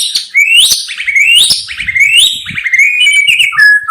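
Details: Repeated upslurred whistles from a white-rumped shama, about three rising notes in a series, then a level, flat whistle and a lower closing note.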